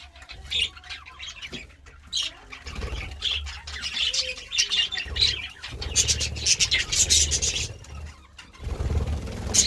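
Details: Budgie squawks and chirrups, sparse at first and then building into busy, overlapping twittering, with a faint low hum.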